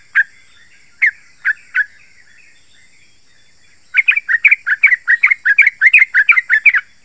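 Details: Sharp, dense song of the yellow-vented bulbul used as a lure for wild and caged birds: four spaced single bubbly notes, then after a gap a long, rapid string of gurgling chattering notes; faint steady high background tone.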